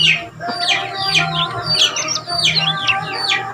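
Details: Common iora song meant to coax other ioras into singing, from Lombok: sweeping whistled phrases, some falling and some rising, repeated about every half second over a constant low hum.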